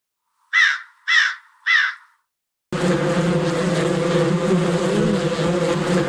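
Three harsh, hoarse caws about half a second apart, then a steady rumbling, hissing noise with a low hum fills the rest.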